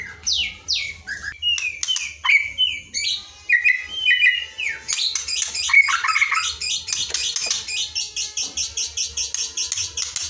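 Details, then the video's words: Murai batu training song for a shama that seldom sings: quick varied whistles and descending slurs, building into a long fast series of regularly repeated sharp chirps, roughly three per second, over faint hum. "LATIHAN ISAN KICAU UNTUK MURAI BATU YANG MALAS BUNYI"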